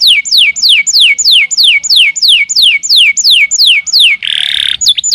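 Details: Canary singing for songbird training: loud downward-sliding whistled notes repeated about three times a second, broken near the end by a brief harsh buzzy note before the slurs resume.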